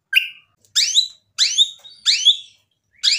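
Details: White-rumped shama in lively voice, from a recording used to provoke other shamas into singing; harsh, sweeping downward notes repeated about every two-thirds of a second, each with a clear high tone.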